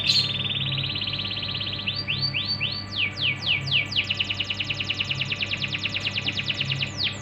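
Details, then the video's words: Canary singing as a lure for young, untrained canaries: clear rising whistled sweeps, then a long fast trill of evenly spaced high notes, over a faint low background hum. "pancingan untuk burung kenari bahan"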